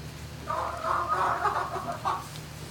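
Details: Night-time barn recording of turkeys, 11-05-2018, between 20:41 and 21:41: a loud, rough, quavering call of about two seconds with several jumpy harmonic segments, set against a continuous deep ventilation-like hum.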